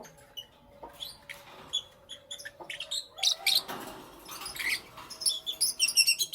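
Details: Lovebirds chirping in the morning, quick high-pitched squeaks and chips that build into a dense, rapid chatter of repeated notes in the second half.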